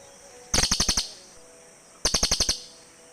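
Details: Cililin birds answering one another in a forest lure recording: two quick bursts of about seven sharp, high, evenly spaced chirps, separated by a short pause over faint background hum.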